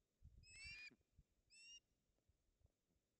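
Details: Male and female osprey fighting over a fish at a nest in Puszcza Napiwodzko-Ramucka, Poland, 16 August 2021. Two brief high whistled calls over quiet background with faint low knocks.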